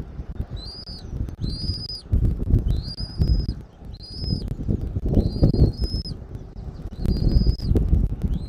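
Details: Nest-camera recording from Southwest Florida, 13 January 2024 at 14:17: a bald eagle gives about seven high, piping whistled notes, each briefly rising and then holding steady, with short gaps between them, over a constant low wind roar.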